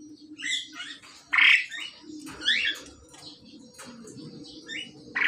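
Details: Male and female pied myna being paired, uttering a series of scratchy squawks and chattering notes at irregular intervals, with a steady low hum in the background.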